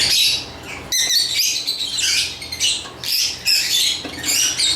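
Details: Lovebirds uttering loud harsh screechy chirps in roughly half-second bursts, several voices overlapping, with a few clearer whistled notes.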